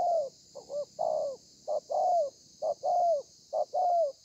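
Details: A spotted dove's thổ pha cooing from 30 November 2020: five rhythmic phrases, each a short coo then a longer one that slides downward at the end, evenly spaced, over a continuous thin hiss.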